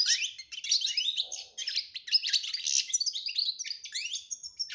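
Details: Goldfinch song in the betbeta style with tasfiya phrasing, used to coax a silent goldfinch into singing: an unbroken rapid tumble of high twittering, trilled and buzzy notes.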